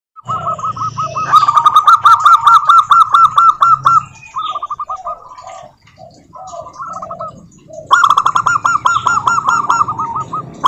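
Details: Local wild zebra doves, kept as cage birds, singing to provoke other doves into song: rapid trilled cooing phrases near one pitch, loud bursts at the start and again after eight seconds, with quieter softer coos between and a low hum beneath.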